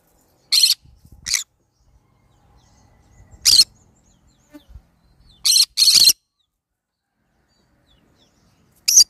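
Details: Green-cheeked conure calling with short, harsh, noisy squawks, some doubled in quick pairs, scattered irregularly over several seconds with faint low knocks and rustling between.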